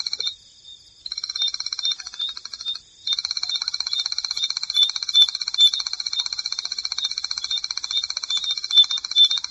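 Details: Striped Crake, a shy marsh and seasonally flooded grassland bird, giving its long, dry, high-pitched trill of rapid ticking notes, running almost continuously with brief breaks; nothing else is heard.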